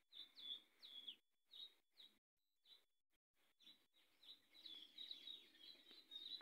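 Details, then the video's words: Variable sunbird calling: high, thin, sharp chirps with quick downward slurs, given in short bursts broken by brief silent gaps, building into a faster twittering run of repeated high notes near the end. "Variable Sunbird"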